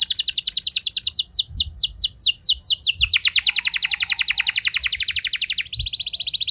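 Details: Canary delivering a rolling song meant to excite other canaries: steep downward sweeps give way to a long, dense, pulsing trill that shifts lower, then a higher buzzing roll at the close.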